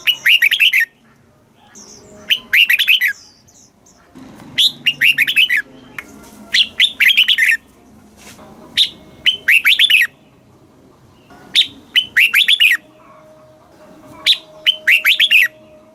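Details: Red-whiskered bulbul song in the southern master style, played to stimulate caged birds and teach young birds in Thailand. Bright warbled phrases come in short bursts with pauses, about six phrase groups in sixteen seconds, over a faint low hum.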